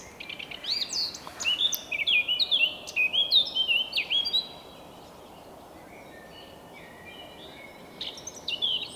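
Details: A Eurasian blackcap's morning song in early May: a fast, varied warble of bright, fluty whistled notes for about four seconds, then a pause before starting again. Soft background hiss throughout.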